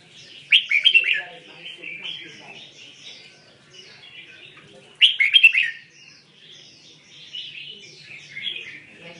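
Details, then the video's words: Red-whiskered bulbul singing a mixed-repertoire song: two loud bursts of bright, warbling chirps around five seconds apart, linked by softer rambling twitters, over faint low background hum. "Chim Huế tạp giọng Songkon"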